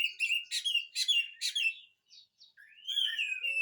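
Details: Oriental magpie-robin singing as a lure for silent magpie-robins: a string of buzzy, rattling bursts about every half second, a short pause, then a long clear sliding whistle.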